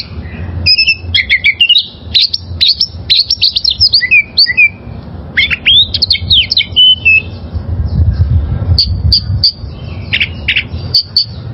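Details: Wild oriental magpie-robin with a fast, scratchy medley of twittering notes and slurred whistles, a pause, another jumbled burst, then spaced high chips. Low hum, rising near the end.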